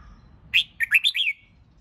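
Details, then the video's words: Red-whiskered bulbul competition song for training birds to sing hard: a short, rapid phrase of five or so clear, rolling whistled notes, sharp in its opening, with quiet background rumble. "Chào Mào Hót Kích Bổi YẾU LỬA LÊN LỬA!.. Luyện Chào Mào Hót Đấu Căng. Thúc Chim Sổ Giọng."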